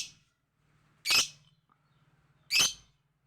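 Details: Lovebird calling very loudly: two piercing, rasping squawks about one and a half seconds apart, with a faint low hum between them.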